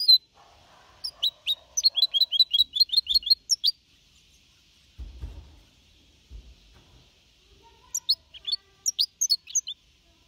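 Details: Goldfinch hybrid of four and a half months, 2021, clean Malaga-copy singing: a run of quick high chirps, a quiet stretch with low rumbling, then a short twittered phrase.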